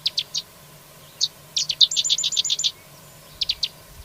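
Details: Carrizalero singing: clusters of short, high chirped notes, a quick run of about ten evenly spaced bright notes in the middle, then a few more separate chirps, over a steady low background hum.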